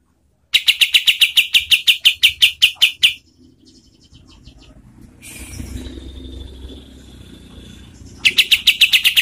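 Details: A kapas tembak, used for training competition birds, gives a fast string of sharp high chirps, then a gap filled with low rustling background noise before the rapid chirping starts again.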